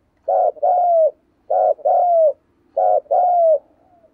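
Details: Caged decoy spotted dove in 'thúc gù' cooing style: three paired low coos, a brief throaty note followed by a drawn-out falling one, spaced roughly 1.2 seconds apart, with nothing else audible.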